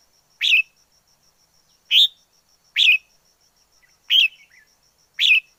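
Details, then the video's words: Wild red-whiskered bulbul repeating a loud, clear chirped note about every one and a half seconds, one note followed by a soft trailing twitter. "Chào mào rừng hót hay nhất 2020"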